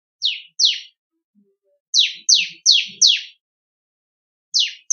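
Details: Bar-winged prinia (ciblek kristal) song played as training material for songbirds: short, bright downslurred chips repeated in quick pairs and runs of four, separated by brief silences.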